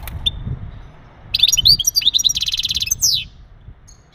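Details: Breeding stimulation song of a male European goldfinch aimed at the female: a single sharp chirp, then a lively stream of high twitters, a rapid rattling buzzy trill and a final descending slur.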